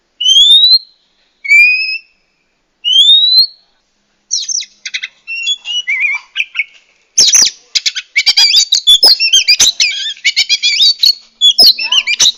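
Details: Female Oriental magpie-robin used to spur a male to sing and raise his breeding drive; three rising whistles open, followed by a rapid varied stream of chirps, trills and scratchy notes growing denser toward the end.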